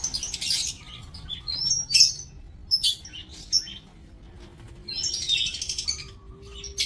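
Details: Lovebirds kept in an aviary, 5 July 2024: shrill chirping bursts mixed with short whistled upslurs, separated by quiet spells with faint low hum.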